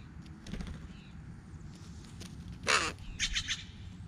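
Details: A crow calling outdoors: one loud, harsh, broad caw, then three shorter raspy caws in quick succession, over low background rumble and a few faint earlier calls.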